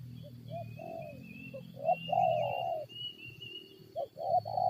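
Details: Spotted dove calling during a decoy-luring session where it fights wild birds: soft, mellow coos in uneven short groups, with faint thin bird notes and a steady high hum in the background.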